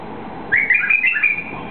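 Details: A White-eared bulbul, a species native to eastern Saudi Arabia, sings after being released. It gives a quick, bubbling phrase of five or six liquid, whistled notes lasting about a second, over a faint low hum.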